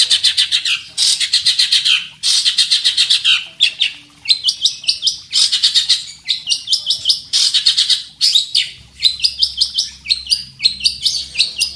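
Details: Caged long-tailed shrike, a fighting bird trained with tutor birds, singing often while seeking a rival. Loud harsh buzzy phrases of fast repeated notes, each run about a second long, broken by short pauses, with varied chattering and squeaky notes.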